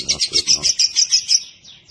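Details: Short run of a lovebird's ngekek chatter, about eight quick, high, grating notes in a second and a half, then fading into a soft trailing chirp.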